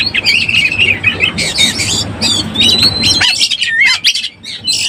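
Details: Oriental magpie-robin in breeding condition used as a lure: scratchy notes over a rumbling background for three seconds, then cleaner whistles including one drawn-out steady whistle and a short falling slur.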